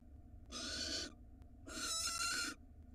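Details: Two drawn-out, rough hissing screeches from a female barn owl in Israel as her mate brings her a rat, the second one longer, recorded by a nest box camera.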